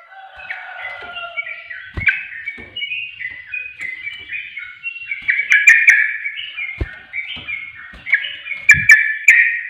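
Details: Lure song of the sooty-headed bulbul meant to rouse reluctant birds into calling: a long, continuous chatter of bubbly, warbling notes rising and falling, with a few sharp clicks and taps in the background.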